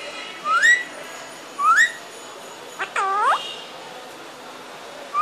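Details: A parrot vocalizing. Two short rising whistles come about a second apart, then a rich, harmonic call swoops down and back up near the middle, and a further whistle begins at the end over a quiet background.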